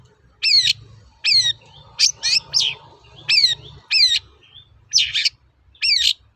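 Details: Long-tailed shrike lure song for training birds, harsh buzzy notes dropping in pitch, given in short bursts about every second with brief gaps between them.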